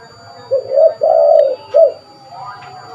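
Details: Spotted dove calling vigorously, a recording meant for luring birds: a short soft coo, a long drawn-out mellow coo, then a brief final note, all low and hooting, over faint background hum.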